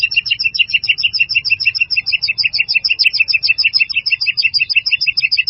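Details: White-rumped shama master song full of fill-in phrases, here a fast steady series of high, sharp double chips repeated about three times a second throughout.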